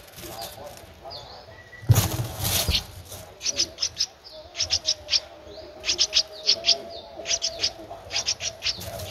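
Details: Thirteen-day-old Streak-eared bulbul nestling in Ubon Ratchathani, Thailand, April 2023: short high squeaks in quick runs after a loud rustling burst near the start, with brief pauses between groups.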